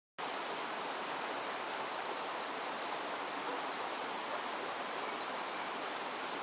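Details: Steady, loud rushing noise like flowing water fills the whole recording, with no animal calls standing out.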